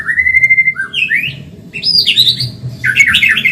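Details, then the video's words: White-rumped shama, Medan type, in an energetic training recording for caged birds: a long level whistle, then swooping notes and a dense, loud burst of rich warbled phrases over a low background hum. "Masteran burung murai Medan super cepat gacor"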